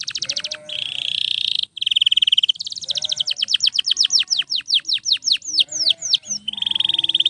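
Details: Canary song meant for training other canaries: a buzzy sustained trill, a rapid ladder of downward-sweeping notes, then another steady rolling trill, bright and high-pitched throughout.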